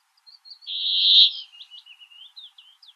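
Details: Brambling song: a few thin high notes lead into one long, drawn-out buzzy wheeze lasting about a second, followed by a series of short, quieter scratchy notes, with a clean, silent background.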